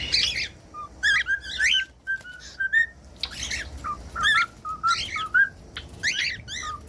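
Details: Pet cockatiel singing with alternating short whistles and harsh, squawky chirps in a lively stop-start pattern over a steady low background hum.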